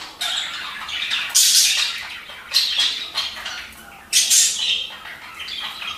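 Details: Budgerigars give harsh, scratchy squawks and chatter in bursts every second or so, sounds meant to encourage budgies to breed.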